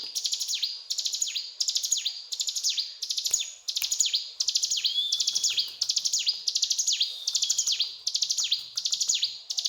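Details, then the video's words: Mountain tailorbird (ciblek gunung) in full gacor cetrakan song, a long string of high, rattling note clusters with downward-swooping tails and an occasional drawn-out thin whistle between phrases. "Burung Ciblek Gunung Gacor Cetrakan"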